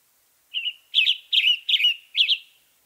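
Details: Western tanager song: a short hoarse phrase followed by four burry, robin-like phrases in quick succession, each slurred and slightly buzzy, with no other sounds.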